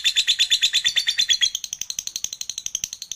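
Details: Drowsy lovebird in ngekek chatter as it drifts off to sleep. Loud, sharp, high notes pulse quickly, then after a second and a half they turn thinner and more clipped while keeping the same fast beat.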